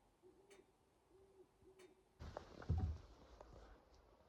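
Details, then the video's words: A big owl gives three soft, low hoots in quick succession from the woods on a cold, 31-degree snowy late-season morning during hunting, and it is then spotted nearby. Close rustling and handling noise follows. "You hear that big owl out there?"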